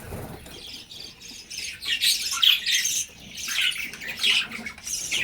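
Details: Several budgerigars in a breeding-shed colony chatter together in high, scratchy warbles and chirps.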